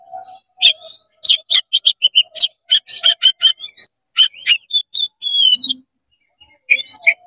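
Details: Oriental magpie-robin singing fast and full, tail spread, to provoke rival magpie-robins: a run of crisp repeated chips, then clear whistled phrases and downward slurs, with short pauses between bursts.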